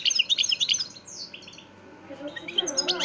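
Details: European goldfinch, a singer of the parva de Montijo line from Extremadura, in a fast twittering phrase of bright high notes, then a brief lull before more chirps, with faint background hum.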